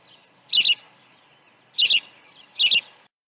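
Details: Osprey at its nest during early feeding, 1 June 2019; three loud, clipped high chirps, each a quick double note, spaced about one second apart over a quiet background.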